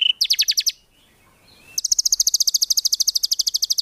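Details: Active white-rumped shama, recording meant for songbird training: a brief burst of fast high notes, a pause with faint whistles, then a long, steady machine-gun run of sharp repeated notes.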